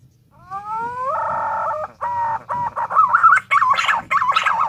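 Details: Pink-necked green pigeon: a slowly rising whistle flattens into held tones, breaks into shorter notes, then turns to quavering, warbled whistles toward the end.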